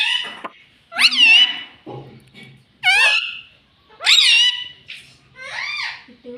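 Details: Pet talking parrot, said to repeat mummy, papa and mitthu, utters about five separate loud, wavering, nasal syllables roughly once a second, with quieter low sounds between them.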